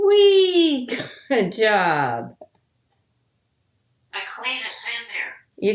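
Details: Talkative male African grey parrot kept in a home in Texas, hatched in 1997, speaking in a high, strongly harmonic voice: two connected phrases with sliding pitch, a pause of almost two seconds, then a rougher burst of speech-like chatter.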